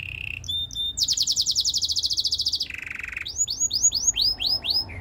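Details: Canary singing for training: a steady low tone, a high whistle, a long fast buzzy trill, a lower rolling section, then a series of rising whistled swoops.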